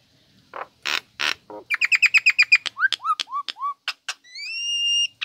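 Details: Female pet Nias hill myna giving a varied song: harsh rasping notes, a rapid run of ringing chips, dropping whistles, then a long clear whistled note.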